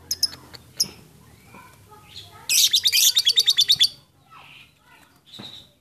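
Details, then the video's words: Lovebird ngekek chatter, played to provoke other lovebirds into long singing: a burst of about a dozen rapid, high, buzzy notes lasting over a second, framed by scattered sharp chirps and quieter soft calls. "mancing lovebird ngekek"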